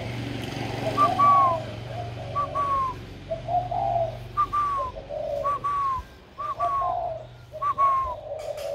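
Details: Cooing spotted dove recorded 16 February 2020, a caged bird whose warm voice has newly emerged, delivering a run of paired phrases: clipped descending whistled notes followed by mellow low hoots, repeated about every second.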